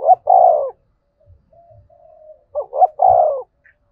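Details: Spotted dove calling in the lure-style song: a quick double coo then a drawn-out falling coo, a soft faint coo between, the phrase repeated once more; quiet background.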